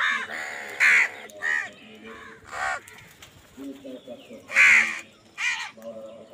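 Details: Crows fighting for food call loudly: a series of about six harsh, grating caws spread over six seconds, two of them especially strong, with lower chattering sounds between.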